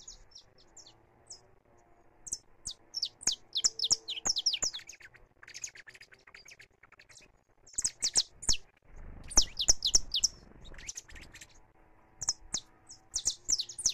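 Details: Saffron finch singing free in a live recording. Bursts of quick, high, bright chirps come in clusters separated by short pauses, with a low rumbling noise partway through.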